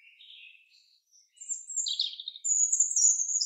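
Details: Common chaffinch singing in a forest: soft, scattered high chirps and brief phrases open, building into a louder buzzy burst near the midpoint, then a bright, sustained high trill runs to the end.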